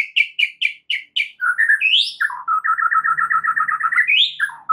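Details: White-rumped shama (murai batu) in lively song, a training recording to get other shamas to answer: five quick sharp notes, an upward-sweeping whistle, then a fast run of about fifteen even chirps and a final rising slur.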